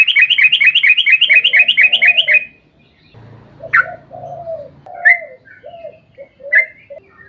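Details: Sooty-headed bulbul in long rolling song, used to prompt other bulbuls to sing; opens with a fast rattling string of about a dozen bubbly notes, then lower sliding whistles and scattered single bright notes.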